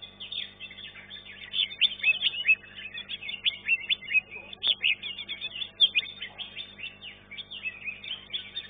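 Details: At a songbird singing contest, a caged green leafbird that took third place pours out a dense, continuous stream of sharp chirps, trills and slurred whistles, with other contest birds blending in.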